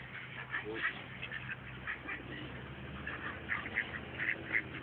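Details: Duck begging for food, behaving like a dog: quick, harsh quacking notes repeated irregularly, about three to four per second, muffled and fairly faint, with a low steady hum underneath.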